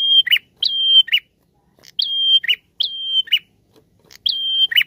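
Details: High steady whistles from a prinia, each ending in a grating chirp, delivered in loose pairs as a lure song with brief silent gaps between.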